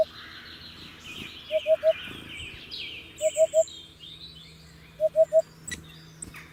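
A hoopoe gives three soft, low hooting 'oop-oop-oop' notes, repeated three times about every two seconds, over a busy chorus of other birds.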